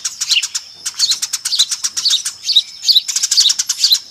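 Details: Eurasian tree sparrow lure call from a noisy flock: irregular groups of sharp high chirps, a brief lull near one second, then denser chatter.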